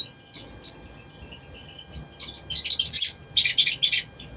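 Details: Ruby-cheeked sunbird singing as a prompt for a bird reluctant to sing: a few spaced high chirps, then a rush of rapid shrill twitters and buzzy notes in the second half.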